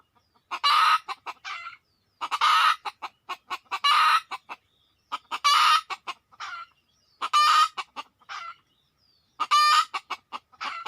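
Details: Wild red junglefowl coming in: six loud harsh crowing bursts at roughly two-second intervals, each followed by a few short clucks.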